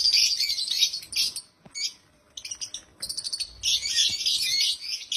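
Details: Happy African lovebirds chirping loudly: dense, continuous shrill chatter at the start, a short pause, then rapid ticking chirps, and finally another stretch of loud overlapping squeaky chattering.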